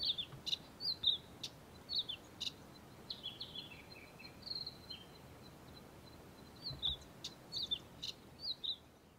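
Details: A male Karoo scrub robin sings at dawn from the top of a bush, giving repeated short high chirped phrases, some falling and trilling, spaced about half a second apart over a faint, constant hiss.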